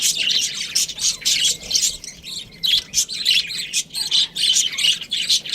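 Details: Pet budgerigar chirping: a busy stream of rapid, high, scratchy chirps and warbles in bursts of about half a second, separated by brief pauses and continuing almost without letup.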